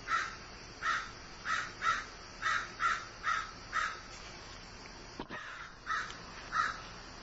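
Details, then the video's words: Harsh repeated cawing from a crow said to be grieving: about eleven rasping caws at a steady pace, broken once by a sharp click partway through, over faint background noise. "Grieving Crow"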